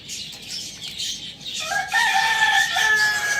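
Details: Pet rooster kept alongside hens, chicks and budgies, crowing loudly: after a stretch of high twittering budgie chatter, a strong harmonic crow begins partway through and holds steady, slightly falling, to the end, with budgies still chirping behind.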